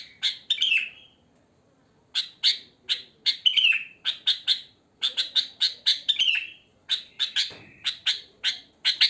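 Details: Natural song of a wild sooty-headed bulbul, without added phrases. Clusters of sharp chirps and a falling whistled slur come first, then a two-second pause, then a long run of evenly spaced bright chirps.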